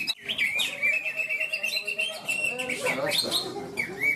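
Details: Greater green leafbird competing in a songbird contest at Malinau, North Kalimantan, the winning bird; high, continuous whistled warbling with quick sliding notes and brief chirps, over crowd chatter and other birds in the background.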